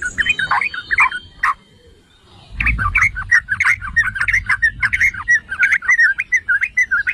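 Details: Yellow-vented bulbul (merbah cerukcuk) provoking song: a few scattered chirps, a quiet pause, then a busy stream of rapid gurgling notes over low rumble.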